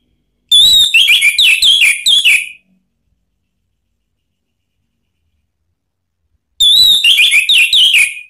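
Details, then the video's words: Caged Orange-headed thrush from Indonesia singing a sharp song meant to trigger another bird to reply: two bursts of descending whistled notes, each about two seconds of rapid varied phrases, with silence between. "isian TAJAM !!! bikin ANIS MERAH EMOSI NYAUT NGEPLONG ¦ PANCINGAN AM"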